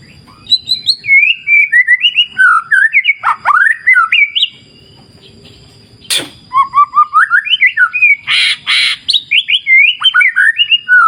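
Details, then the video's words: White-rumped shama (murai batu) from a wild clear-river nature therapy recording: long bursts of rich whistled, warbling phrases separated by a brief pause, with a sharp crack and a short hissing burst among the notes. "Terapi Murai Batu Ala Alam Liar Sungai Jernih"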